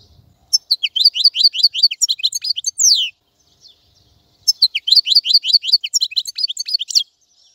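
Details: European goldfinch singing: two bright bursts of rapid, high-pitched twittering and tinkling notes, each lasting about two to three seconds and separated by a short silence, in a clean recording.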